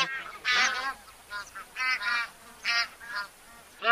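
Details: Honking of a bar-headed goose: spaced nasal honks, some loud and some softer, over a faint steady background hiss.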